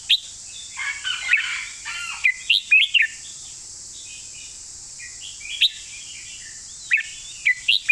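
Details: Red-whiskered bulbul song: scattered bright whistled and chattering notes, several bursts in the first three seconds, then brief isolated phrases near five and seven seconds, with a constant high hiss behind.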